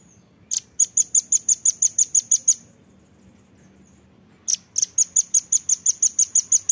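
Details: Velvet-fronted nuthatch song on a training recording for captive birds: two bursts of sharp, high, metallic notes repeated rapidly about three times a second, separated by a short silence, with a faint low hum beneath.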